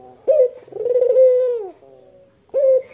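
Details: Barbary dove, white with red eyes, used to lure local doves, giving one long rolled coo that sags at the end, a quiet low tail, then the sharp start of the next call.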